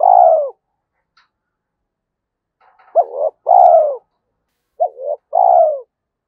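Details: Spotted dove performing the 'giọng thổ' Thúc Đấu voice, regarded as suitable for forest trapping; a falling coo, faint clicks, then two more two-part coos, each a quick rising note and a long mellow descending one.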